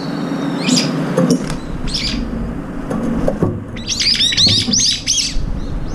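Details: Several Brown-eared bulbuls sharing and fighting over food in the morning. Scattered faint notes and clicks give way to a dense burst of high, arching, chattering calls near the end.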